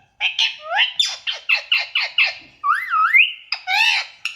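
An Indian ringneck parakeet gives a fast run of harsh, screechy squawks about four per second, then a wavering, warbled whistle and a final squawk.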